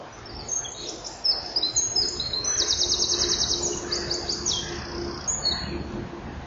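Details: Inside a common kingfisher nest with chicks and eggs, mid-morning on 24 June 2015, a male brings a fish while the female makes room. Sharp, very high chirps run into a rapid rattling trill, then scattered squeaky notes, over a low hum.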